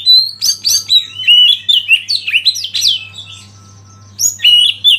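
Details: Oriental magpie-robin used as a master singer to provoke rival birds into song, pouring out a dense stream of fast, varied whistles, downslurred notes and scratchy twitters before a brief pause and a fresh burst; faint hum behind.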